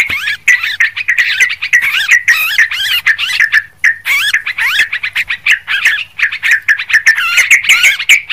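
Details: Long run of noisy Sooty-headed bulbul chatter for luring birds: rapid, jumbled warbles and looping whistled notes in nearly continuous bursts over eight seconds, with a faint low hum below.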